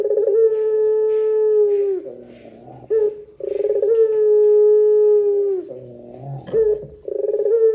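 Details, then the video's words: Barbary dove in long 'pelung panjang' calling, played as a lure for other doves: two long steady low coos with rolled openings and falling endings, short gravelly notes between them, and a third call starting at the end. "SUARA PUTER PELUNG PANJANG JOSS . PANCINGAN SUARA PUTER GACOR DORRR JERNIH"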